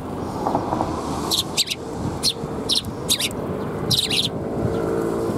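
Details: At a Tenmangu shrine in Japan, 10 April 2021, a flock of Eurasian tree sparrows coming for food produces repeated high chirps in clusters over about three seconds, set against a constant low hum and faint murmuring.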